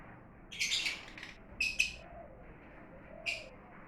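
Lovebirds give harsh, high chattering bursts and sharp squeaky chirps in short clusters over about four seconds, with faint low hum underneath.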